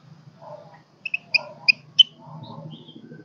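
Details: A wild-caught golden-crested myna, singing but not yet in full voice and used as a lure to call flocks, gives five sharp, high, whistled notes in about a second, with a low hum and faint murmuring underneath.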